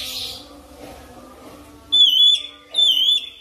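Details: Oriental magpie-robin (kacer) lure song, meant to prompt birds to start singing fast in continuous ngerol style; after a quiet start, two clear, slightly wavering whistled notes, each about half a second long.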